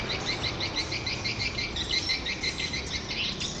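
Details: Edible-nest swiftlet calls tied to swiftlet farming: quick, high chirps repeated about twice a second in a fairly even rhythm, a chorus of birds over steady background hiss.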